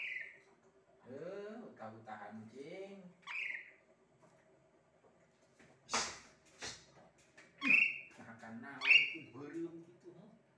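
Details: Asian pied starling singing a varied mix of throaty, wavering notes and sharp high whistles, with short pauses and a couple of clicking noises.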